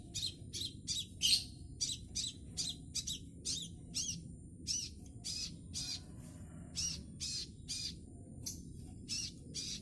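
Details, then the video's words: Scarlet minivet juvenile still learning its song repeats crisp high chirps roughly every half second, sometimes doubled, in a long uneven series with a quiet low rumble beneath. "Kicau sepah raja trotol"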